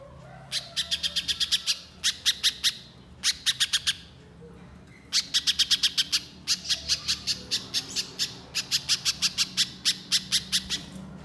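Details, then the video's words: Energetic Little spiderhunter giving repeated runs of quick, sharp chip notes, high and metallic, in bursts of six to twelve with short pauses between, later running into a longer continuous series. "Pancingan Pijantung Pisang Gacor Agar Pijantung Bahan Cepat Bunyi Nembak Mbeset Rapat"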